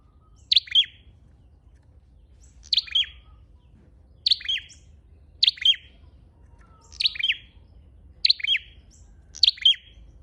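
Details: Flowerpecker, chim sâu đầu đỏ, giving a repeated lure call: seven brief, piercing high chips at irregular one-to-two-second gaps, each a quick clipped double note, with soft low background rumble.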